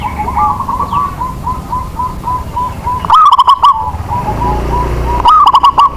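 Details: Local zebra dove used as a lure to prompt other doves to sing: two loud, rapid cooing phrases with sharp pulsed notes, between them a steady series of softer rhythmic coos from other doves in the background.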